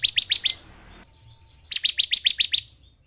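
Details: Bar-winged prinia song used as a lure to rouse a lazy caged bird into singing: bursts of sharp, high chirped notes repeated about four times a second, a short pause with a thin steady whistle, then a longer run of the same chirps.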